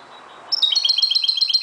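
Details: Dawn singing by a Moroccan goldfinch: a short, rapid run of clear chirped notes, evenly paced and tinkling, starting after a brief quiet pause.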